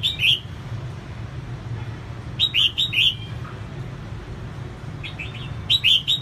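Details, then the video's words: Female red-whiskered bulbul singing to stir up males: short bursts of two or three clear, slurred whistles, repeated every two to three seconds over a steady low hum. "CHÀO MÀO MÁI SIÊNG HOT KÍCH TRỐNG CĂNG LỬA"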